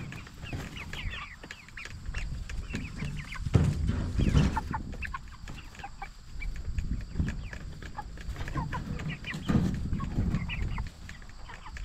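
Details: A crowd of jumbo Cornish Cross broiler chickens, 44 days old, raised for meat, keeps up steady high-pitched peeping in overlapping bursts, with occasional louder thumps and a continuous low rumble throughout.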